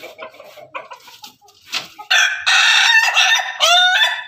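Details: A Pelung and Ketawa chicken pair: soft stuttering clucks and short notes give way to a powerful, long harmonic crow, ending in a quick upward-swooping flourish.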